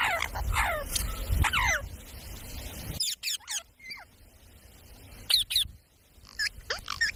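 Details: Parrot from a talking compilation, giving quick falling whistles and sharp clipped notes in clusters, with noisy background at the start and quieter gaps later.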